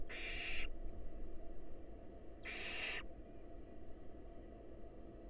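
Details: Two strong, rough hissing screeches from wild barn owls in their nest box, as a mouse passes from male to female to a hungry nestling, then quiet hum.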